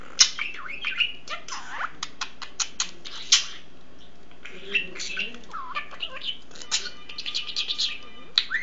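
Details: A pet male budgerigar chatters in a fast, scratchy warble of clicks, squeaks and twisting whistled notes. The bird talks a lot, and his owner says he even says "that's weird" after the phone rings.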